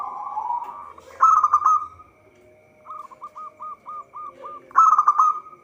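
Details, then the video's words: Zebra dove, local type, singing steadily as a trapping lure: a rolling cooing phrase, a pause, then eight evenly spaced hooked notes leading into another bright rolling burst. "Perkutut lokal gacor suara cocok untuk pancingan."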